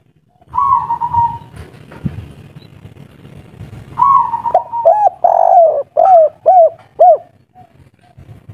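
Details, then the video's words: Spotted dove, local wild type in 'kuk 3' style, calling loudly: a buzzy drawn tone, a quiet gap with faint knocking, then another buzzy tone running into a quick string of hollow, arched coos. "Derkuku tekukur kuk3 lokal alam asli ngamuk bikin ribut || suara besar"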